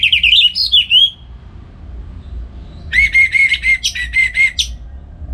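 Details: Kept orange-headed thrush singing in the morning in Bali as a model for other songbirds: a loud warbled whistle phrase, a pause, then a run of repeated even whistled notes.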